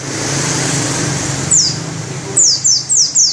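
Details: White-eye (pleci) in ngerol song, beak open: after a noisy hiss, one high falling whistle, then a quick run of four similar descending notes.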